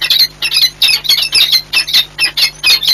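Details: Peregrine falcons meeting in courtship display at Orlen Płock on 8 March 2022. Harsh, rasping high calls come in rapid bursts, about four a second and loud and close, over a faint steady hum.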